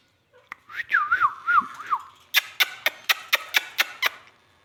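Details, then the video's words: Indian ringneck parakeet, a pet parrot shown dancing, gives a warbling whistled phrase that wavers up and down, followed by a run of sharp clicking pulses about every quarter second. A person speaks nearby. "magical dancing ringneck talking sweet parrot"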